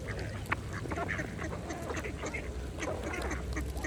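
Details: Mallard ducks dabbling at a pond, filling the clip with fast, crackling feeding clicks and short, muffled quacks over a low water rumble.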